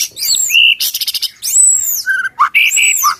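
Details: Kept white-rumped shama (murai batu) singing loud, clear whistled phrases: high arching slurred notes, a short rapid burst of clicks, and lower rising whistles, delivered in quick varied succession.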